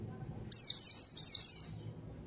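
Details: Vocal white-eye used as a lure song, calling out a rival so untrained white-eyes respond and join in; one loud burst of very high, rapid down-slurred whistled notes in two linked phrases lasting about one and a half seconds.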